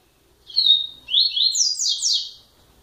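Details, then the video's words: Double-collared seedeater song, a brisk phrase of high down-slurred whistles that climbs in pitch, with a brief gap after the first note. "COLEIRO A BRONCA"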